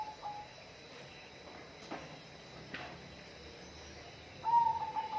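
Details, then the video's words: Mostly quiet hiss with a couple of soft knocks, then near the end a bird gives a whistled phrase of warbled and level notes. "bunyi burung"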